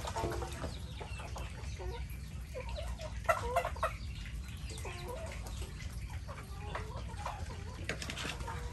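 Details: Chickens with ducks on a stormy, rainy day of Typhoon Noru, clucking in rapid uneven runs of short harmonic notes, several birds overlapping, with heavy rain rumbling underneath throughout.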